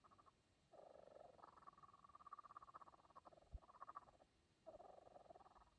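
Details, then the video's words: Young kookaburra in a quiet, hushed exchange gives low, rapid chuckling trills in bursts of one to three seconds with brief pauses, against a quiet background. "Conversation With Kookaburra"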